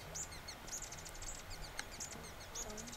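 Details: A male Peruvian Sheartail sings his courtship song to a caged female before shuttle and dive displays: very high, thin, squeaky notes about every half second over a low rumble; Atacama Desert valleys, far northern Chile, September 2010.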